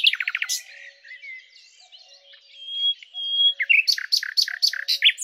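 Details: Common nightingale (Luscinia megarhynchos) singing a fast stuttering series, long thin drawn-out whistles, then a loud run of emphatic repeated notes at a steady pace.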